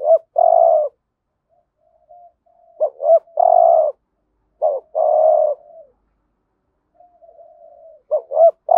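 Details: Spotted dove, a lure bird calling to attract wild doves, in the full 'thúc gù' calling style of the 'hạp bổi' voice. Low cooing phrases of two short notes then a long rough coo, repeated about every two seconds, with silent gaps.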